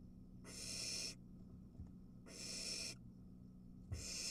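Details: Barn owls at a nest where an adult delivers a mouse to three nestlings; harsh breathy hisses lasting over half a second, three in four seconds, with a soft tap and low hum.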